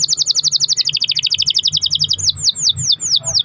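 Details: Long-roll canary song used as a lure to spur other canaries into song: a rapid buzzy trill of tightly packed notes running two seconds, breaking into slower arching, ringing notes.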